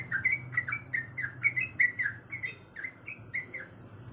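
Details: Female sooty-headed bulbul in breeding condition calling for a male: a string of short, bright, bubbling chirps about three per second, easing off toward the end, with low humming behind.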